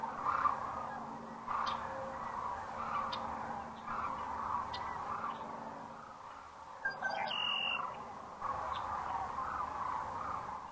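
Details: At Rowe Sanctuary in Gibbon, Nebraska, sandhill cranes arrive to roost at sunset on April 4, 2013, crane cam audio; repeated rattling phrases pulse out of a steady background chorus, quieter midway, with faint clicks and a high squeal.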